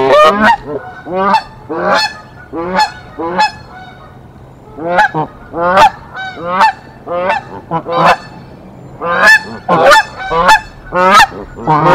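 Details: A pair of Canada geese fight off an intruder at their Decorah tree nest, 1 April 2024: bursts of harsh honks, a short lull after about three seconds, then quickening volleys of overlapping calls.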